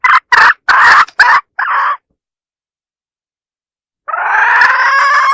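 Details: Decoy hen call meant to attract roosters: five quick, clipped nasal notes over two seconds, then a long pause before one drawn-out, raspy call.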